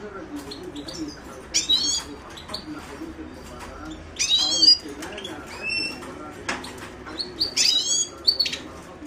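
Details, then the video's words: Himalayan goldfinch, Carduelis caniceps, giving scattered twittering song phrases: short, high, buzzy trills and sharp chirps at irregular intervals, louder bursts near the middle and end, over a faint steady hum. "تغريد حسون الهيمالايا chant de chardonneret hymalaya"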